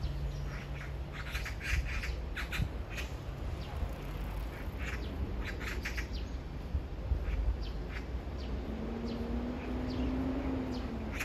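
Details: Magpie calling to a partner a few metres away as a love serenade: a long series of harsh, rasping chatter bursts repeated in quick runs, over steady low rumbling background noise.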